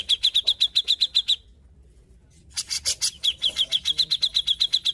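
A Grey-cheeked Bulbul gives a fast run of sharp, high chirps, about four a second. It breaks off briefly with a harsh burst, then resumes the same chatter.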